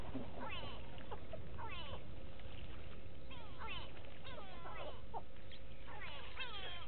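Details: Several go-away birds at Gowrie dam, Djuma Game Reserve, Sabi Sand Wildtuin, South Africa, 06/06/18, on a live waterhole camera; clustered nasal, warbling calls in three or four bouts, overlapping, with a steady background hum.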